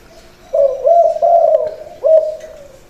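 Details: Trained captive spotted dove, a decoy bird placed on the ground, cooing low and mellow: a run of linked hooting notes, a short pause, then one longer fading coo. The background is quiet.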